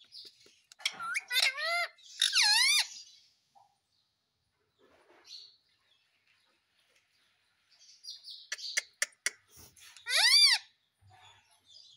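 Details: Pet ringneck parrot calling: two bursts of shrill, screechy squawks early on, then a long quiet gap. Sharp clicking notes follow, and one more loud, arching squawk comes near the end.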